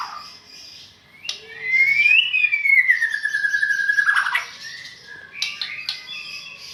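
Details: White-rumped shama from Medan, a long clear whistled note rising then gliding slowly downward over about two seconds, followed by brief sharp chips and softer warbles.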